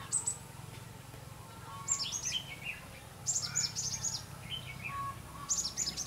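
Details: A decoy red-whiskered bulbul sings during a trapping session on 5 November 2016. Clear, high, warbled phrases come in four bursts about every one and a half seconds over a faint low hum.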